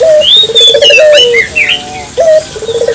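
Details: Local collared dove cooing as a lure: a short raised note, a rolling pulsed phrase and a falling held coo, with another bird's thin high whistles and chirps overlapping above.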